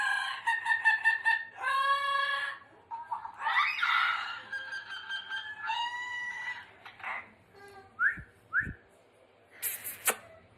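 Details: A female pet Yellow-crowned Amazon "doing her opera": loud, harmonic, vowel-like bursts that swoop up and down, then short rising whistles and a harsh squawk.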